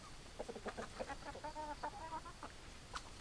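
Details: Chickens clucking in a clear close series: rapid short tonal clucks, then a drawn-out run of evenly spaced, slightly rising notes, ending with a sharp single click.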